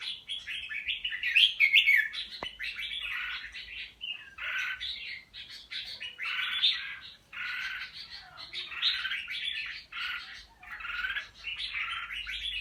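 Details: A bạch lem red-whiskered bulbul with good fighting attitude, kept caged, delivers a long run of rough, rapid chattering phrases, rising and falling in loudness, with faint background noise and one sharp click.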